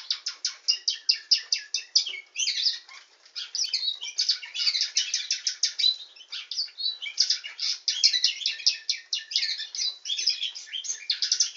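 Canary in continuous high song: fast rolling trills and rapid repeated chirps tumbling one after another without a break, bright and loud throughout.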